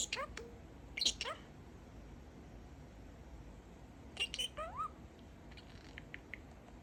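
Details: Talking pet budgie, a male parakeet that says a "Peek-e-boo" phrase: two short bursts of clicks and quick rising whistled sweeps, separated by about three seconds of quiet room.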